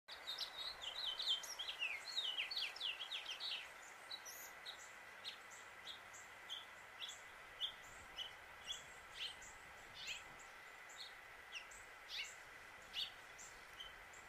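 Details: House finch pouring out a fast, jumbled warble of high rising and falling notes, then scattered short chirps, over the steady mechanical hum of an air conditioner.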